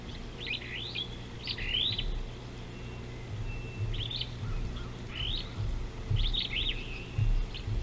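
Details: Superb starling recorded by an African river camera on 19 July 2018: scattered groups of shrill, twisting chirps separated by pauses, a few softer lower notes, and a continuous low hum with occasional thumps.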